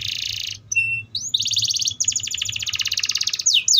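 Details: Atlantic canary delivering buzzy high trills and rapid pulsed rolls, with a short whistled note and rising slurs between the long rattling tours.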